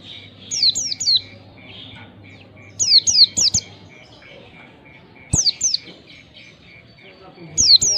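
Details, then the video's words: Oriental white-eye chirping, intended to encourage young birds to sing: groups of two to three high, falling tweets repeated every two to three seconds, with a faint pulsing thin tone and low hum beneath. "pancingan pleci bakalan agar cepat ngalas gacor !!!, merangsang pleci cepat gacor"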